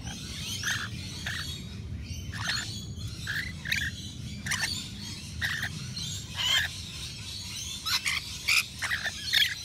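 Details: Rainbow lorikeets, native Australian birds, visiting a balcony nectar feeder stocked with wet lorikeet mix; short harsh screeches and chatters come in scattered bursts over a low rumbling background.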